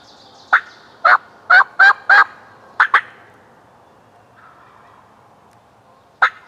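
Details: Young male wild turkey, a jake, gobbling and strutting like an adult about ten yards from a hunter on public land. Loud harsh bursts come in a tight cluster of five, then two quick ones, then quiet, then a single final burst.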